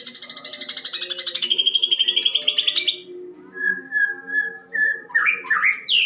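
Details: Greater green leafbird singing a harsh fighting song with house sparrow imitations: a three-second rapid rattling trill that drops in pitch, then clear level whistles and a burst of quick twisting notes.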